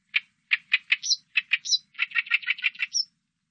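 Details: Oriental reed warbler song, recorded 2020: harsh, grating chattering notes, about fifteen in three seconds, with a few thin, higher squeaks mixed in.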